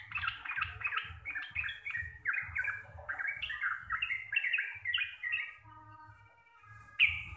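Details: Sooty-headed bulbul, a local Javanese bird, singing a rapid chattering song: a quick string of separate bright notes stepping up and down. It trails off into a softer, thinner phrase, then a single loud note at the end.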